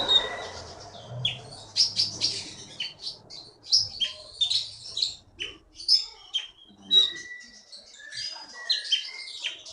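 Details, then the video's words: Wild-caught songbird from the forest of Bangka, Indonesia, kept as a contest champion, singing quick sharp high chirps and twitters in irregular bursts, with a soft low rumble early on. "KEETY BURUNG JAWARA FULL GACOR"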